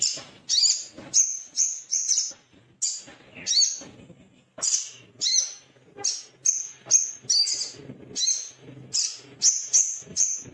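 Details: Restless male Little spiderhunter, said to be calling out a rival. Many loud, sharp, high-pitched chips come about two a second in an irregular series, briefly pausing near the middle.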